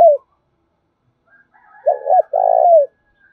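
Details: Spotted dove used as a lure bird to stimulate wild doves to call, a country-style voice: a short falling coo, then a pause and a pair of low, hoarse coos, the second drawn out and falling at the end.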